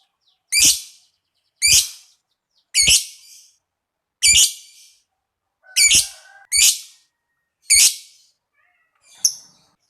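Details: Lovebird calling, a recording meant to stimulate other lovebirds into long trilling: harsh, high, buzzy chirps each about half a second long, repeated roughly once a second with short silences between.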